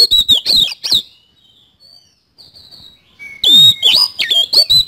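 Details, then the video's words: Oriental magpie-robin in full, energetic song with kasan fill: loud sharp whistled notes and harsh clicks, a quiet stretch of faint thin whistles, then another burst of rapid varied whistling. "BURUNG KACER GACOR ISIAN KASAN"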